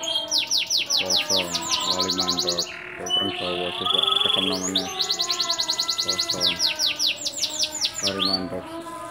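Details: Local bottle-green canary from Gresik, Indonesia, a frequent winner of bird-singing contests, delivering continuous song: rapid series of repeated high sweeping notes, brief steady whistled tones and rolling trills, with a lower, humming background sound underneath.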